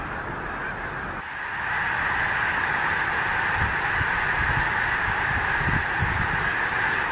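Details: Massive snow goose flock in flight over Gordon's Pond, Cape Henlopen State Park, Delaware, in winter after a rainy day; overlapping honking swells louder after the first second and continues as a steady, dense chorus.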